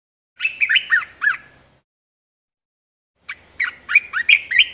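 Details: Red-whiskered bulbul kept as a cage bird, song for tutoring other caged birds: two bursts of quick, lilting whistled notes, each phrase rising and falling, over a steady thin high hiss.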